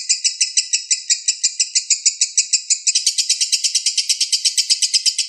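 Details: Balibu lovebird tutor song: evenly pulsed squeaky notes about two per second, then an abrupt switch after three seconds to a faster, higher, shriller chatter.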